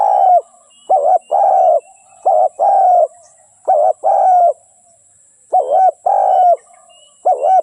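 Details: Cooing of a spotted dove: four repeated phrases, each a brief wobbling double coo then a longer smooth coo, the phrases spaced about one to two seconds apart, faint twittering in the background.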